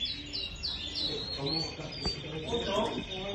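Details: Canary song: a quick series of clear, high whistled notes, each sliding downward and repeated about every third of a second, then lower warbling mixed with a person talking.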